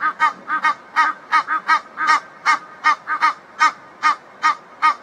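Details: Egyptian goose pair calling in a backyard after a reunion; loud, rasping honks in quick succession, some paired closely, roughly two and a half per second with brief gaps.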